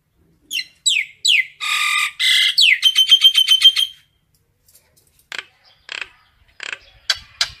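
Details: Common myna calling the flock: three quick downward-sweeping whistles, then two harsh, broad rasping bursts and a fast run of about ten ringing notes, followed after a pause by scattered sharp clicks.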